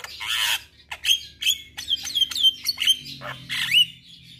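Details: Song of a Javan myna: a run of harsh squawks, each ending in a short clear whistled note, repeated roughly every third of a second, with a steady low hum underneath.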